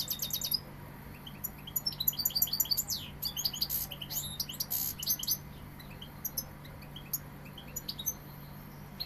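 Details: European goldfinch from Seville delivering bursts of bright, liquid twittering and fast high chirps with short pauses between phrases, accompanied by a constant low hum.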